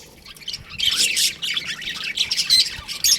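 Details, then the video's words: Baby budgies chirping in an aviary: quiet at the start, then a rising swell of high, raspy chatter and short squeaky notes from many birds at once. "Baby Budgies Chirping Sounds"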